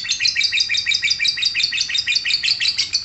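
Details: Shrill lovebird ngekek, a dense, uneven burst of high squeaky chirps tumbling over one another in quick succession, with no pause over three seconds.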